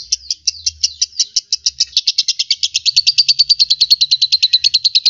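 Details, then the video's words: Lovebird song: sharp high chirps starting spaced apart, then quickening into a dense, evenly pulsed chattering trill of shrill notes, with a faint low hum underneath. "SUARA BURUNG LOVEBIRD MASTER"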